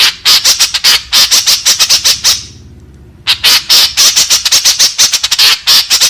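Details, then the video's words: Lure call of a white-breasted woodswallow, meant to attract others: rapid, rasping notes in fast bursts, a silent pause of about a second midway, then the harsh chattering series resumes. "Suara Burung Kekep Babi Masteran Gacor"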